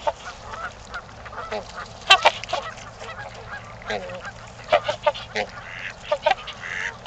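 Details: Trumpeter swans at Gallup Park, Ann Arbor, Michigan, during mating time, giving loud, brassy honking notes in irregular bursts, with several birds calling over a steady outdoor background hum.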